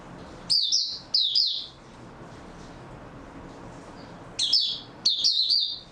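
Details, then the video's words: Short high twittering phrases from an oriental white-eye, recorded 3 March 2022: two quick chirpy bursts, a quiet gap of over two seconds, then two more sweet warbled bursts. "Mata Puteh Raja Video 2 buka sing tiong aw"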